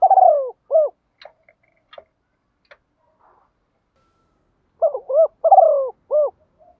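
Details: Decoy spotted dove in the forest calling wild doves, thổ sấm style: the end of one cooing phrase, a few light clicks and taps in the pause, then a full phrase of coos, a trembling falling trill and a closing coo.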